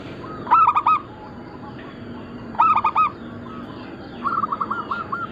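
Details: Local Zebra dove, Bangkok-crossing type, singing actively on a bird-luring and training recording: two loud ringing coo phrases about 2.5 seconds apart, then a rapid string of even, stuttering coo notes.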